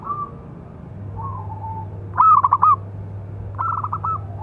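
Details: Local zebra dove with a big voice, singing as a master call for training other doves: soft wavering coos, then a loud rapid pulsed phrase, followed by a slightly quieter one.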